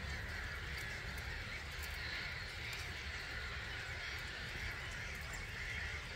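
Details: About 250,000 starlings leaving their roost at 05:45 on a March morning at Gibraltar Point NNR, England, heard from a hide: a dense, steady wash of high chattering from the massed flock over a low rumble.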